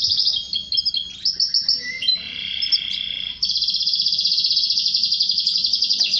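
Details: Canary song said to spur mating with a female; varied high notes and a lower buzzy phrase, then a long, even rolling trill of rapidly repeated notes.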